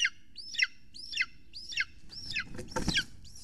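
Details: At an Estonian golden eagle nest, 6:53 pm on 3 June 2020, when large prey is delivered: a quick run of arching, down-sweeping shrill cries roughly twice a second, ending with a louder broadband rustle or clatter near the close.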